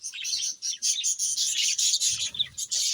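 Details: Pet parrots in a loud, continuous chorus of very high, scratchy chirps, with short pauses between bursts and faint low rumbling in the background.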